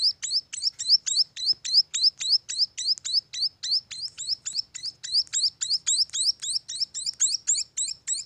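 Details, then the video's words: Steady string of high, thin munia chick chirps, evenly spaced around three and a half per second, over a quiet background. "suara anakan burung emprit"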